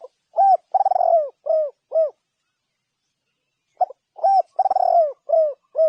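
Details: Spotted dove cooing. The clip opens on the tail of a phrase, and two more phrases follow, each a rolling trill and then two or three mellow downward coos, with a pause between them.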